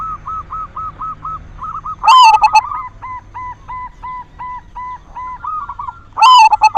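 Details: Zebra dove of the silver type in full song as a lure to excite other doves into singing; two loud, stuttering cooing phrases framing a run of evenly spaced, soft whistled notes from another bird.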